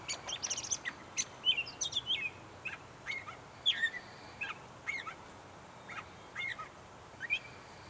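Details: In North Tetagouche, New Brunswick, a slightly distant gray catbird strings together soft, squeaky, mewing phrases at irregular intervals against steady background noise.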